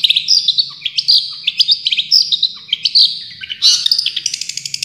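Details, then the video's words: Long-tailed shrike, a champion singer, in tembakan song: shrill whistled phrases and quick slurred notes in short bursts, ending in a dense run of rapid high clicks. "Masteran Cendet Juara full tembakan"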